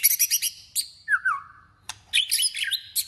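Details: White-rumped shama singing competitively during voice training: dense bursts of high chattering notes, a falling slurred whistle, a sharp click, then more bright jangling high phrases, over a faint low hum.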